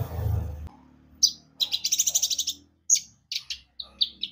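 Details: Lively Javan white-eye song meant to set other birds singing: after a low rumble, a fast run of sharp high chirps, then scattered separate high tweets.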